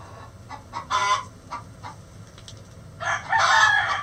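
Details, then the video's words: Chicken egg song on a farm: soft scattered clucks at first, then a loud rough cackle building in the last second, with a low background hum. "Chicken Sounds Egg Song"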